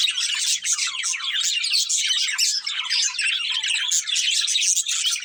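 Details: Pet budgies, a breeding pair, keep up a busy warble of quick, scratchy high notes and tiny squeaks, dense and unbroken throughout.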